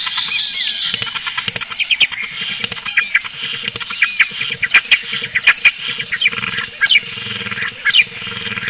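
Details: Spotless starling singing at a webcam in Cabañeros National Park, Spain: a dense jumble of sharp clicks, short buzzy notes and high squeaks in quick succession, over a steady low electrical hum.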